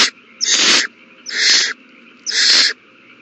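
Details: Owl chicks eating well at a big meal, March 27 2020; three loud rasping hisses, each under half a second, spaced about a second apart over a low constant hum.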